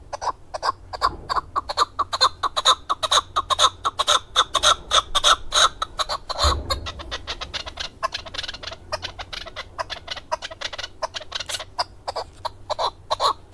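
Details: Male chukar partridge used for hunting, Darvoz, Tajikistan, 2020, delivering loud, rapid chuk-chuk notes in a dense stream, with a brief low thump partway through.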